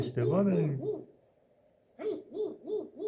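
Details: Grey parrot (Psittacus erithacus) mimicking animal sounds such as cats, dogs and roosters: a low, drawn-out wavering note, then a run of short hooting notes about three per second, a pause, and another run.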